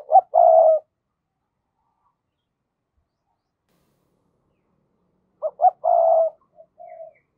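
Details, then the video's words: Decoy spotted dove giving its thúc and gáy calls, used as a lure to provoke wild doves: two low cooing phrases about five seconds apart, each with two short clipped notes then a longer hoarse coo, in otherwise quiet surroundings. "Chim Cu Mồi thúc và gáy gọi mở lên kích bổi hiệu quả nhất"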